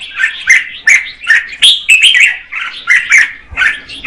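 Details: Female red-whiskered bulbul singing to prompt the male: short, liquid, whistled phrases of two or three slurred notes, repeated roughly every half second.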